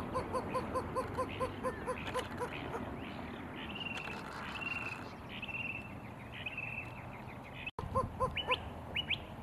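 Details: Greater Roadrunner mating call: a quick run of low, hollow coos, about five a second, pausing then resuming; thin whistles from other birds sound in between.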